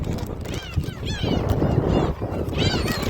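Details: Gulls at Jebudo, South Korea, being fed, giving loud, wavering mewing calls that rise and fall in repeated bursts, with dense crowd noise and low rumble underneath.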